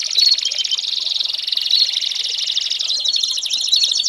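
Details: American Singer canary delivering a continuous, rapid, slightly buzzy trill that shifts tempo midway, with short clear whistled notes inside. Recorded as a tutor song for young birds.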